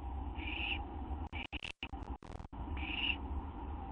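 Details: Owl receiving a gopher or vole treat on a night cam, September 8, 2011; raspy hissing calls at start and end, with a burst of clicking, crackling handling noise between them over steady background hum.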